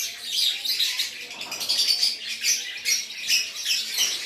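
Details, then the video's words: Lovebird in gacor style from Aceh: fast, squeaky, harsh chattering in short overlapping bursts, high-pitched and nearly continuous throughout. "LOVEBIRD GACOR ACEH"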